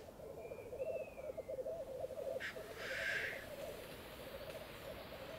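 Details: At least five or six Black Grouse males lek on a bog at dawn, heard from a hide in frost, sunshine and still air at minus six degrees. They give a continuous low bubbling chorus with a rising whistled note and a brief hissing burst mid-way.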